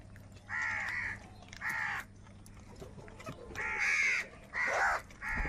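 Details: Live crows contesting food give two loud rasping caws, then a pause of more than a second, then three more harsh caws in quick succession.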